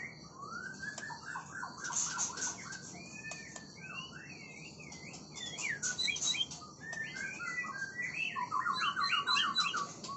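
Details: Oriental magpie-robin singing in the balak sabang style: varied clear whistled phrases sliding up and down, interspersed with clicks, building to rapid trilled notes toward the end over faint background hiss.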